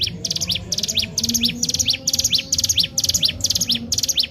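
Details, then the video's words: Sunda warbler, locally ciblek gunung, in constant song meant to draw out other birds: paired high buzzy chirps and quick downward slurs repeat steadily about twice a second over a faint low drone. "cigun gacor tak main2× sangat cocok buat pancing 3m05i burung anda"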